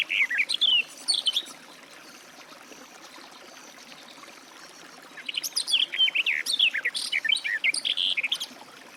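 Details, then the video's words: Garden warbler song in two bursts: a short, tumbling warble at the start, then a longer run of rapid, varied chirping notes after a quiet pause. "Warbler garden, birdsong"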